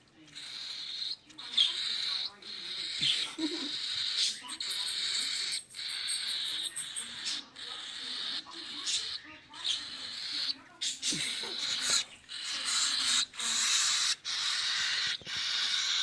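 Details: Several hand-fed baby cockatiels (Nymphicus hollandicus), hungry before hand feeding, give harsh, raspy, hissing begging calls in near-continuous pulses, pleading for food.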